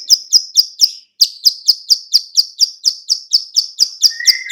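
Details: Bar-winged prinia female clicking call used to lure other birds: rhythmic sharp high clicks about every quarter second, a brief gap near the start, and a lower whistle-like note entering at the end.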